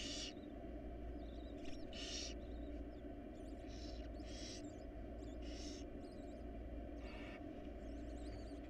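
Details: Barn owl family in a nest box, wild birds: a series of short, fainter hissing bursts of varying length, irregularly spaced, with faint squeaky twitters between and a constant low hum.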